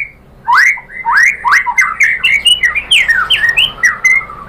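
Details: White-rumped shama song used to provoke other birds into singing: rapid varied swooping whistles and chattering notes in a fast, continuous run.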